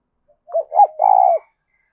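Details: Spotted dove cooing to provoke wild doves toward a decoy: a single phrase of two short, husky croos and a longer, rolling, slightly falling note.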